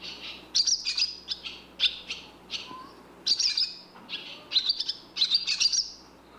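Barn swallow giving quick, high twittering chirps in bursts of several notes, some short buzzy trills mixed in, with brief pauses between bursts.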